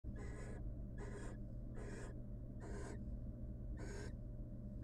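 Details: Wild female barn owl in a monitored nest box, showing affection to her mate before returning to incubate their eggs. She gives harsh, hissing, broadband screeches, five bursts about once a second, over a steady low hum.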